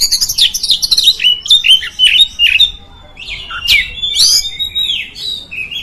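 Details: Oriental magpie-robin (kacer) song used to provoke other magpie-robins: varied whistles swooping down and up, interspersed with harsh scratchy notes, a short lull past three seconds, then bright upward-sweeping phrases.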